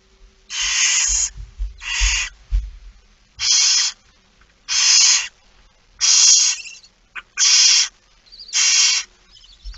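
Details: Barn owls begging during a feeding at 06:57 on 13 September 2019, Netherlands: rasping, broadband hissing screeches, about seven in ten seconds at uneven gaps, with soft low bumps and knocks from the nest between calls.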